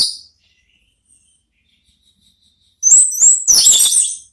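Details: Orange-headed thrush in the ngeplong singing style, used as therapy song to lure other thrushes into answering; after near-silence, two loud bursts of high, rich, rapid whistled and twittering notes near the end.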